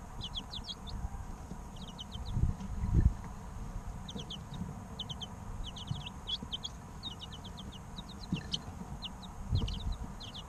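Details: Baby chickens, three weeks old, chirping almost without pause: high, clear, downward-sliding peeps in rapid clusters of two to four, with occasional low thuds and scuffling.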